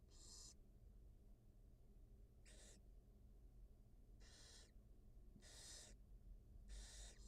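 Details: At a wild barn owl nest where the mother feeds two newly hatched nestlings, five separate rasping hisses arrive roughly every one to two seconds, each about half a second long, with quiet hum between.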